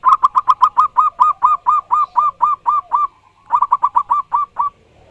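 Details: Loud, lively zebra dove song from a wild local bird: a long string of about fourteen staccato, ringing coos, a brief pause, then seven more.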